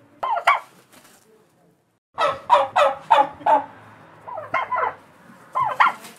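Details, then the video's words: A turkey gobbles in rapid, rattling bursts: several quick harsh gobbles in a row, with shorter bursts before and after. "Turkey Sound"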